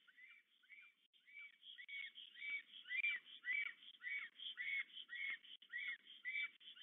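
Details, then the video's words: Black Stork pair at their nest in the Łódź region of Poland on 8 April 2022, greeting and courting in the evening after arriving a day apart. Wheezy, downslurred whistled notes repeat about twice a second, growing louder, with a faint low rustle. "Bocian czarny RDLP i UŁ w Łodzi (PL) - Fermina & Florek, przywitanie i wieczorne amory"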